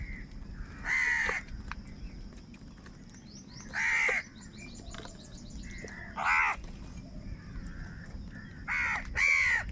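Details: Angry crows fighting for food give loud harsh caws, single calls spaced every two to three seconds, with a steady thin whistle-like tone and faint small chirps between them.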